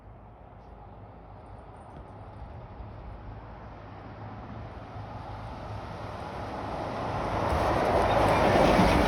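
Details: A vehicle engine rumbles steadily and swells louder toward the end, with no animal calls heard.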